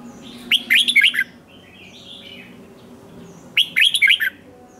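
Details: Competition singing by a red-whiskered bulbul: two matching bursts of fast, warbled whistles about three seconds apart, with a softer twittering note between them.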